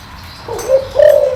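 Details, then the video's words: Short low coo from a deep-voiced spotted dove meant to attract wild birds. A brief hoot is followed by a slightly louder sustained note, with the sound cut off at the end. "tiếng chim cu gáy kích bổi mau lên"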